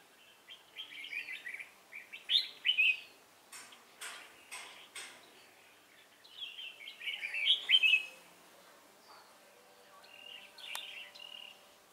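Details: During trapping of a wild red-whiskered bulbul in Hòa Bình with a decoy bird, 18 November 2017, lively warbled phrases come in two bouts, separated by sharp clicking knocks, with faint later notes.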